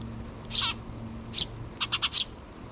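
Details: Nestling sparrows, two chicks with their mother, pleading for food before fledging in June 2023; a lone bright chirp, another, then a quick cluster of four high squeaks, with a faint low drone beneath.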